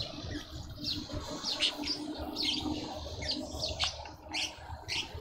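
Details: A juvenile African grey hornbill in a suburban garden in Pretoria, South Africa, gives short, high, squeaky chirps about once or twice a second over a steady low rumble and background hiss.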